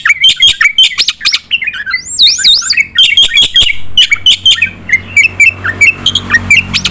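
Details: Black-winged myna in full, lively song used as a tutor recording for competition birds: loud whistled notes, rising and falling slurs, and harsh squawks in a rapid, varied stream, with a brief warbling high passage.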